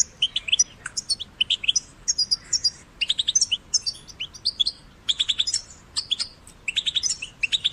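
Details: European goldfinch chicks singing, used to encourage singing in cage birds: dense bursts of bright twittering and buzzy chirps, broken by short gaps, fast and jumbled throughout.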